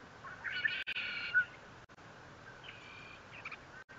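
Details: At the Fort St. Vrain nest, 57 feet above ground, a bald eagle gives a loud, shrill squealing call with harmonics, then a fainter second one, recorded by a live nest camera on 21 April 2024 amid hiss and brief dropouts.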